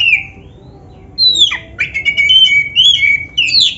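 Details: Energetic oriental magpie-robin song meant to coax other magpie-robins into singing: a lone downslurred whistle, a pause, then continuous sweet whistled notes, long level tones and clicks running to the end.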